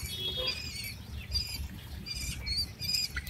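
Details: At eight days old, quail chicks make bright, high, short peeps in uneven bursts, mixed with soft scratchy rustling and a low background hum.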